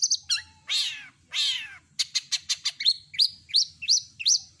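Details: Long-tailed shrike singing a full, clear compilation of mimicked phrases: two drawn-out buzzy harsh notes, then rapid clicks and a series of sharp upslurred chirps repeated about every third of a second.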